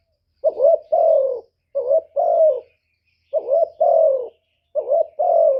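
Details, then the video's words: Lure call of a decoy spotted dove, used to attract and rouse wild males: four paired low coos, each a brief lead note then a drawn-out, slightly descending coo, with short pauses between. "CU gáy Mồi Cực hay hạp bổi thúc gù bổi ghét, tiếng chim cu cườm, cu đất"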